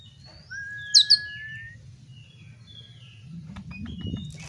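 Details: Oriental magpie-robin song played as bait to stir the bird to fight: thin whistles and a long, level whistled note with two sharp high chirps, then fading into rustling and rumbling noise.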